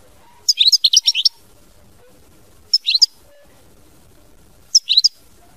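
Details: European goldfinch in mama binette song, three short bursts of quick, liquid high twittering separated by pauses of roughly two seconds.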